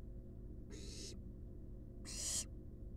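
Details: Wild barn owl nestlings resting in a monitored nest box, giving two harsh, breathy hissing calls about a second apart, each lasting under half a second, over a steady low hum.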